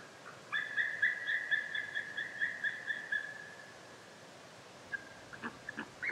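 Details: White-tailed eagle giving a fast run of sharp, yelping notes, about two per second faster than counting, held steady in pitch for some three seconds, then a few scattered softer notes near the end.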